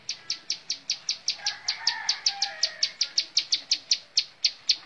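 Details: Rapid, evenly spaced high chips from a bar-winged prinia singing montal mantul style, some faint lower chirps and distant sounds underneath.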